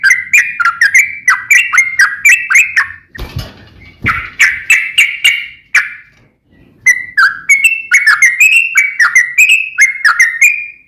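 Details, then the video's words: Trucukan, the yellow-vented bulbul, in an energetic song: runs of quick whistled chatter. A brief thump of noise breaks in near the third second, then the whistles resume in steady rapid phrases. "KICAU SUARA trucukan gacor NEMBAK ROPEL NGEPLONG"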